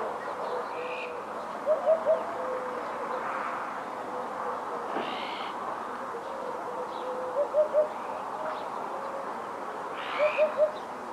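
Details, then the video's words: Eurasian hoopoe singing in winter in Ria Formosa Natural Park, Portugal, 30–31 December 2011: soft, low hollow triple 'oop-oop-oop' phrases repeated about every three seconds, with faint higher calls of other birds and steady background hiss. "HUPPE Fasciée/Upupa epops/Chant/Hiver"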